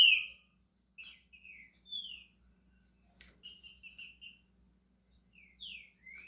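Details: Pet green-winged saltator in Brazil beginning to sing, giving spaced, clear whistled notes, mostly downslurred, with a faint steady low hum behind.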